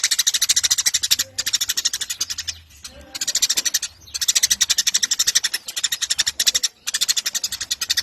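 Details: Eurasian tree sparrow in vigorous song to train contest birds; bursts of quick, harsh chirps about a second or two long, alternating with short quieter gaps, the pulse fast and even.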